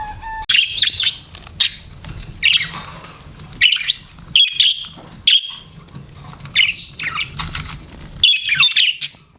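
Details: Chirping pet budgerigars: loud squawky chirps in a steady string, one every second or so, some followed by brief warbles, with a low hum in the background.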